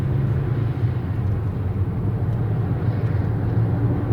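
Continuous deep engine drone, like a car or passing aircraft outdoors, with no animal sounds present.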